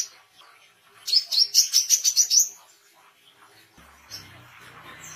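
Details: Oriental white-eye, recorded as songbird training and wild-bird lure material. One run of roughly eight shrill, fast chirps, followed by faint background rustle and a low hum.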